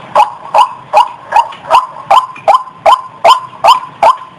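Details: Female white-breasted waterhen in heat, recorded as she prepared to mate: a loud, harsh, nasal note repeated steadily about every 0.4 seconds, eleven calls in a row.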